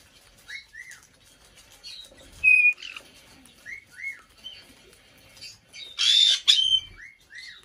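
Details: Female black-headed parrot, aged five, in an indoor bird room on her birthday: repeated paired arched chirps, a bright whistled note, and a loud harsh screech, with soft thumps between calls.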